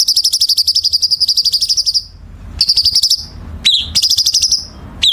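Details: Chinese bulbul in a masteran training recording for competition birds, with dense, sharp 'kasaran' filling: long rapid buzzy trills, high and ticking, broken by short downslurred whistles and a sudden upsweep, in a quiet background.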